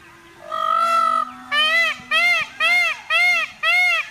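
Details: Indian peacock during its dance display: one drawn-out wailing note, then five shorter arched honking notes repeated at a steady pace, with a low steady hum beneath.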